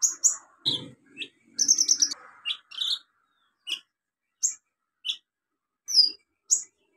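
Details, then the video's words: Olive-backed sunbird song used to prompt silent sunbirds to sing: scattered high chips, a short buzzy trill and sharp rising squeaks spaced out by brief pauses. "KOLIBRI NINJA SUPER GACOR NEMBAK ISIAN BUAT TERAPI PANCINGAN KOLIBRI NINJA MACET BUNYI"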